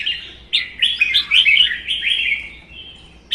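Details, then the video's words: Red-whiskered bulbul singing against another caged bird in Vietnam; the wild-caught bird, one season kept, spreads its tail stiffly. A single sustained stream of quick warbling whistles begins abruptly and trails off into softer notes. "CHÀO MÀO | Hót đấu"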